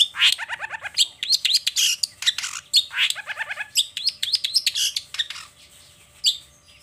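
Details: Morning song of a long-tailed shrike in full voice, unloading its learned material: fast jumbled chatter, quick stuttering trills and scratchy notes packed tightly together, then trailing off into a single late note.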